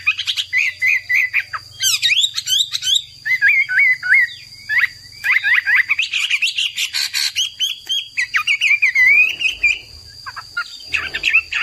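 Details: Persistent, lively song of a caged hwamei (Garrulax canorus): busy sequence of slurred whistles, sharp upward sweeps and rough chattery notes, ending with a drawn-out wavering whistle, accompanied by a faint constant high electrical tone.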